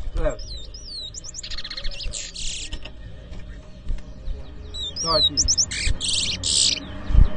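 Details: Towa towa singing at a bird whistling competition in New Amsterdam, Berbice, Guyana, 2023: bright whistled slurred notes and fast trills alternating with loud buzzy rasping bursts, in two bouts, with claps and thumps nearby.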